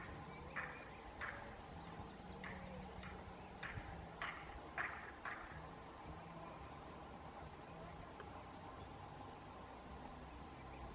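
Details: Female saffron finch in the wild; a series of short, sharp chip notes repeats roughly every half second for several seconds, then falls silent over a steady low background hiss.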